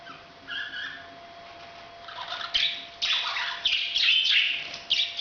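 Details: Parrot's breeding call: soft, faint chatter at first, then a series of loud, harsh squawking bursts in quick succession, with a low hum throughout.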